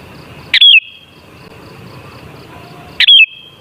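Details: Sooty-headed bulbul singing, offered as a lure to trigger bulbul song: two bright, warbled whistle phrases about two and a half seconds apart, each with a lingering echo over quiet hum.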